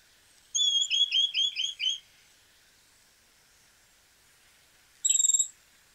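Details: Chestnut-crowned Becard from Argentina: a quick run of about six high, hooked, clear notes lasting about a second and a half, then silence and one short separate high note. No other sounds.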